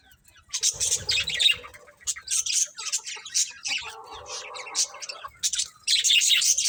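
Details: Several budgerigars in a cheerful pet colony chirping, a dense stream of harsh, buzzy high chatter with a brief lower nasal warble in the middle, continuing loudly to the end.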